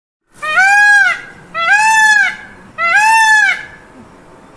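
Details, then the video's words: An Indian peafowl (peacock) gives three loud, harsh, arched wails, each about a second long and roughly a second apart, over faint background noise. "Peacock Noise"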